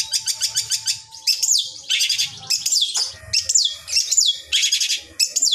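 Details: Long-tailed shrike training song meant to set other shrikes singing: quick rattling chatter broken by high downward-slurred whistles and harsh scratchy phrases, delivered in irregular bursts over a low background hum.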